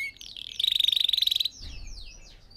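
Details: Red factor canary song used to train other birds: a short bright rapid trill, then a few soft sweeping notes.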